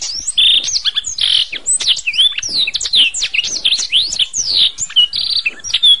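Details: Canary song from a masteran training track: dense, energetic warbling with repeated buzzy rolls, bright whistled sweeps and quick chirps throughout.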